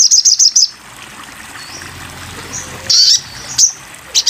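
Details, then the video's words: Sogon bird in a masteran (tutor) recording: short, very high buzzy trilled bursts repeated quickly, then a quiet gap and a few sharp high notes near the end. "masteran burung sogon"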